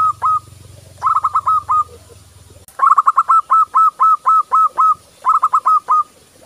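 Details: Zebra dove, local type, giving training song for other doves: several phrases of a fast stutter of short notes leading into a steady series of longer notes at about four per second, with low hum early on.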